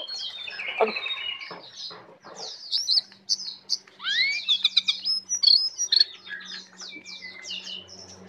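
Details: A tame brown prinia sings busily in full 'isian' style, a rapid medley of sharp high chirps, downslurred whistles and scratchy trills in bursts. Brief pauses break the flow, and a soft low hum runs underneath.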